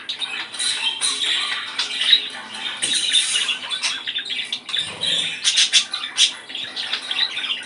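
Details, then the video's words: Budgerigar song for stimulating breeding, a steady mixture of raspy chatter and short sharp clicks that keeps going throughout at fairly even volume. "ESTIMULAR CELO !!! CANTO PERIQUITO AUSTRALIANO!!"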